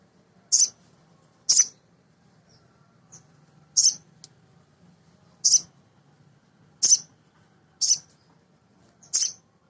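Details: Sharp, very high chips from a male sogon, a nectar-feeding sunbird kept to provoke other sogon birds into song, spaced roughly one per second with short pauses, over a quiet background.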